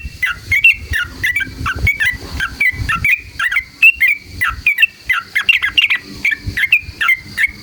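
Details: Sooty-headed bulbul singing continuously as a lure to provoke rival bulbuls into song: lively, varied whistled and chirping phrases, some rising, some falling, delivered in quick succession over faint low rumble.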